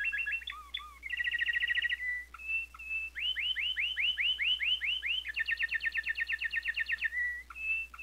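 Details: Male canary singing a long stanza built from tours: fast rows of identical short notes, then a run of rising-and-falling arched whistles and a dense buzzy trill. A steady low hum runs underneath.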